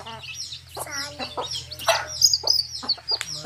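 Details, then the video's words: Baby chicks with a hen out in a field: thin high peeps, some sliding, come in quick bursts over deeper, throaty hen clucks, with a faint steady low hum beneath. "Hen Murgi Baby Chicks Chirping Sound"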